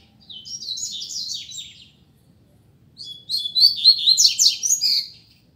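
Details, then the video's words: Rusty-collared seedeater (coleiro) singing in a contest: a quick warbled phrase of high notes, a one-second pause, then a longer, louder, rapid run of sharp chirps and trills. "Coleiro Disputa de Canto"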